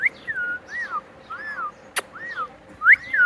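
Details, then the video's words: Pet parrot that talks and repeats words like "Mitthu"; evenly spaced, arching whistled notes, about five in a row, with one sharp click partway through. "Talking Parrot Mitthu Mitthu"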